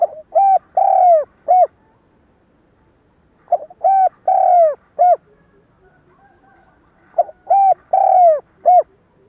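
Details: Spotted dove cooing as a lure call for trapping, a stuttering gù-gáy style: three phrases of four or five low hooting coos, one longer drawn-out note in each, phrases spaced about three seconds apart, clean background.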